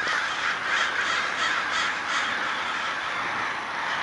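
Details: Large group of crows swarming and diving as day breaks, filling the air with a continuous roar of overlapping raucous cawing, individual calls lost in the crowd noise.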